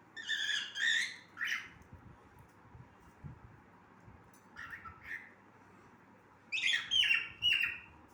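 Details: A cockatiel sings in scattered phrases of chirps and whistles. Groups of two or three notes come with pauses between them, and the last group is a longer whistled run. Low steady hum underneath.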